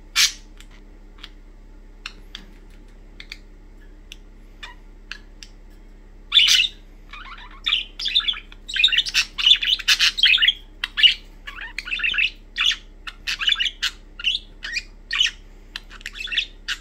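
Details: Pet budgerigars (Melopsittacus undulatus) playing with a toy basketball hoop chatter in quick, scratchy chirps and warbles, rising into a busy run of bursts.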